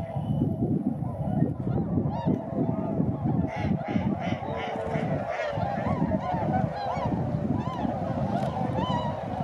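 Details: Tundra swans flying at Sasagata, Japan, on 3 November 2018: nasal, honking calls with rich overtones rise repeatedly over a heavy low rumble that fills the recording.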